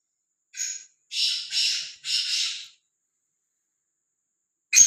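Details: Free-roaming, fearless black francolin giving a clean call: a short harsh lead note, then three long rasping, grating notes in steady sequence, followed by quiet and a sharp click.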